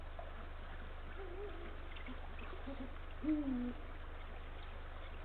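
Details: Male Eurasian eagle-owl calling to his mate from a branch near the nest in late afternoon, 17 February 2023, 16:45: one deep, slightly falling hoot stands out, with a fainter earlier hoot, over a steady low hum.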